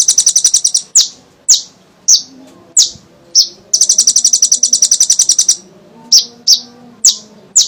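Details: Olive-backed sunbird in full voice, used as a lure to get other sunbirds singing: long fast rattling trills of very high ticks alternate with single sharp, slightly falling chips, repeated over a quiet background.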